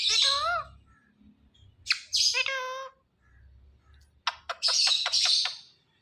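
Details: Talking ring-necked parakeet making sounds: harsh, grating squawks in short bursts, a pause with low room hum, then a rapid clicking series and more scratchy screeches.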